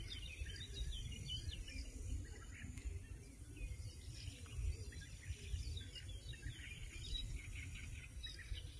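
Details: European bee-eaters at the Soča river mouth nature reserve, 14 June 2024: a steady stream of short, rolling, liquid 'prruip' calls from several birds, set against a heavy low rumble of wind.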